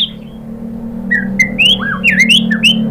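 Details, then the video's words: Murai batu lure song: several clear upward and downward whistles at varying pitch, over a constant low engine-like hum. "pancingan MURAI BATU bikin EMOSI NYAUT jadi GACOR"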